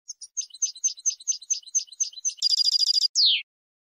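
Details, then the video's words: Goldfinch song of quick warbling notes repeated about four times a second, breaking into a buzzy rapid trill and closing with a downward-sliding wheezy note. "10 Hours of Goldfinch Song"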